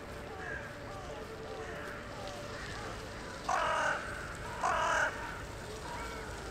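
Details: A crow in a town centre, evening of 23 January 2021, communicating with others arriving for the night: soft distant calling throughout, broken by two loud hoarse caws about a second apart.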